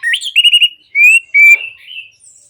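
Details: Orange-headed thrush song for prompting silent birds to sing: a rising whistle, four quick trilled notes, then two long clear whistled notes and a soft wavering end.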